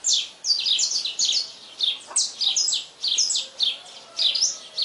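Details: Saffron finch singing heavily at sunrise, a rapid string of high, sharp downslurred chirps in clustered bursts with short pauses, background otherwise quiet.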